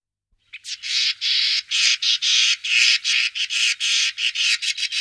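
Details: Common starling giving a rapid run of harsh, rasping, broadband bursts, about two per second with uneven spacing, continuous for nearly five seconds against a quiet background.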